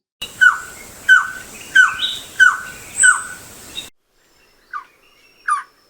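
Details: Malabar Trogon, known in Kerala as Theekkakka, from the evergreen forests of Kerala's Western Ghats: five soft, mellow, down-slurred notes repeated about every two-thirds of a second, followed after a pause by two faint short notes.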